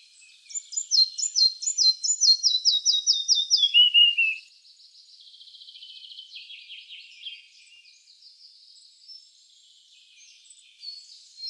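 A red-breasted flycatcher sings a high, clear series of repeated notes that step steadily downward over four seconds, followed by softer buzzy twittering.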